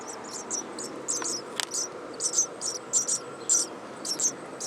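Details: At least four very hungry nestlings in a nest inside an attic vent give thin, very high-pitched peeps in quick clusters, roughly two a second, over a quiet indoor hum.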